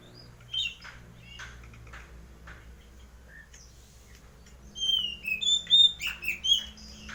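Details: White-breasted Oriental magpie-robin kept at home, in full song: scattered soft chirps for several seconds, then a burst of loud, high, sweet whistles and sliding notes in quick succession near the end, with a low background hum.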